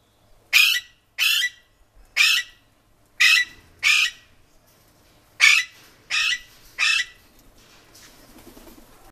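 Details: Ringneck parrot uttering short, harsh, screechy squawks, eight calls in two bursts of five and three, each about a third of a second long, separated by brief silences, faint background noise at the end.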